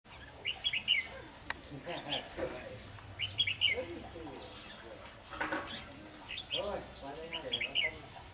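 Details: Red-whiskered bulbul used as a decoy bird in fight trapping, giving short bubbly whistled phrases repeated several times, with low murmuring voices and rustling underneath.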